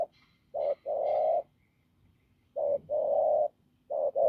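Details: Spotted dove from the fields cooing hoarsely and firmly; short lead-in notes followed by long, steady, low hollow coos, with pauses of about a second between phrases and faint chirping behind.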